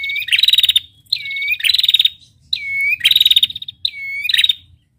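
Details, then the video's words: Masteran recording of a female red-headed prinia: four evenly spaced phrases, each a falling whistle and then a brisk pulsed buzzy trill, high and sharp. "masteran prenjak betina gacor ngetirr ampuh"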